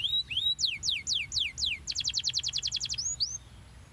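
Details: Canary song meant to stimulate young canaries to sing and roll at length. Swooping whistles fall in pitch, about five slurred notes, then a quick even trill of about a dozen clipped notes ends with two rising whistles.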